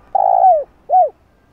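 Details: Spotted dove calling to lure and train a decoy bird: one long mellow coo that slurs downward at its end, followed by a short arched hoot, low-pitched and clear against silence.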